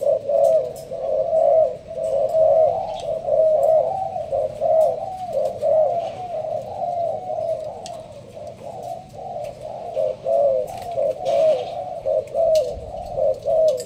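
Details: Spotted dove, Malaysian strain, caged in a leaf-covered enclosure, giving a long run of rapid cooing in the sparse style. Warm, hollow coos repeat roughly once a second throughout, with occasional faint clicks and rustles.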